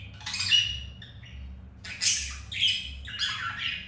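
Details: Caged pet budgies mating after one female rejected the male; raspy squawks and warbling chatter come in four separate bursts over a steady low hum.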